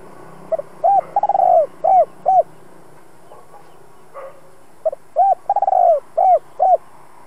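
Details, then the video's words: Cooing of a decoy spotted dove used to lure wild birds: two phrases of short arched coos, a quick stutter into a long sliding coo and two clipped endings, with faint background noise between. "Chim cu gáy hai hậu giọng hay kích bổi tập mồi hiệu quả nhất. Cu gáy mồi cây kích bổi"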